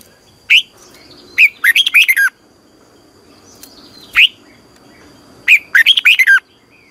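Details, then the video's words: Red-whiskered bulbul decoy singing for competition training. Single sharp whistles alternate with two rapid phrases of rolling, downslurred notes, with a thin steady high tone in the background. "Luyện chào mào hót sáng 2020 - Ép chào mào hót Giọng kép xoắn dài hay tuyệt, luyện chào mào hót"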